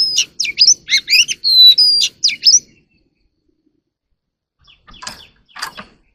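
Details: Oriental magpie-robin singing early in the morning: a quick run of sharp, whistled notes for under three seconds, then silence, then two short buzzy notes.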